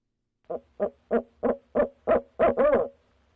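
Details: Deep hoots from a barred owl of a mated pair at night, 6 February 2019: eight notes rise in loudness and finish with a long, quavering call.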